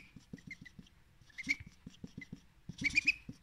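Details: Domestic male duck eating salad for breakfast, calling in a cute thin baby voice to beg for more: quick high squeaky peeps, some in a run of three, over steady clicking bill taps while feeding.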